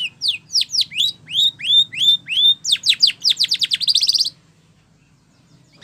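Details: Training song of a Spanish Timbrado canary: clear whistled notes sliding down, repeated roughly three per second, speeding into a dense descending trill that ends abruptly after four seconds.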